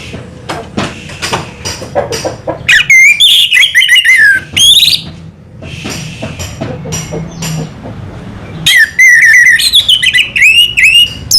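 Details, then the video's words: Orange-headed thrush (anis merah) delivering 'selow' song: scattered clicks and soft notes lead into loud, fluty, descending whistled phrases with scratchy overtones, a quieter stretch, then another long warbling, rising and falling run. "burung anis merah selow"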